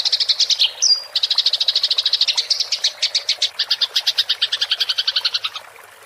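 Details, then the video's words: Fighting-style rolling chatter, tarung ngerol, of a house sparrow used to train songbirds, recorded with a clear voice; rapid high pulses in a long roll, briefly interrupted by a sharp whistled note, slowing and fading at the close. "MASTERAN GEREJA TARUNG NGEROL suara jernih"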